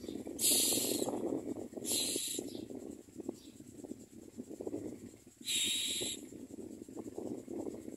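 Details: Common mynas bringing food to feed their young at the nest; three loud, harsh, hissing bursts, each under a second long, break out over a steady low rumbling background, with quieter rough pulses between them.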